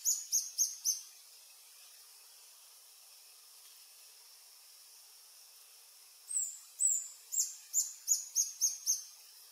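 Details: Reddish Hermit, subspecies ruber, adult male at a lek on Sentier de Americains, French Guiana, 1 March 2024: four rapid high squeaks, about two seconds of quiet, then a longer run of eight shrill notes.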